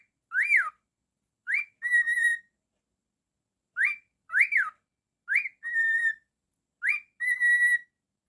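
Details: A pet cockatiel repeats a whistled phrase indoors: a short rising note followed by an arched note or a held level tone, five phrases spaced about a second and a half apart.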